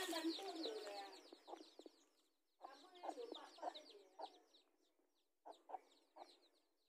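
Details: Mother hens with newly hatched chicks in a garden, meeting to fight for territory: a rapid run of clucks and high chick peeps, then short clusters of clucks separated by quiet pauses.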